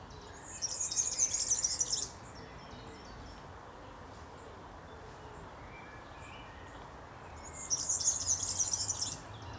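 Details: European serin, filmed in a Berlin graveyard, giving two bursts of very high, fast, jingling, sizzling song, each under two seconds, separated by a pause over steady background hiss.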